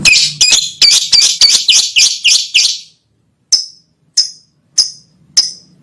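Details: Lovebird singing to call a female: a quick burst of rasping, high chirps for about three seconds, a pause, then four single sharp chirps spaced about 0.6 seconds apart.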